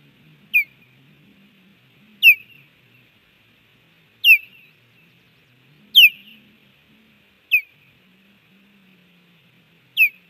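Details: Osprey nest drama at Hellgate, Montana, 30 June 2019 mid-morning: a stranger landing, another flying by. Six sharp, falling whistled chirps at irregular intervals of about two seconds, over a low murmuring background.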